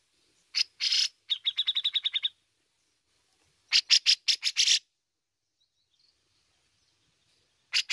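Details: Bearded bulbul singing strongly in besetan and ngepik styles, used to lure other birds into song: harsh rasping bursts, then a quick run of about eight clear sharp repeated notes, then another burst of harsh chatter.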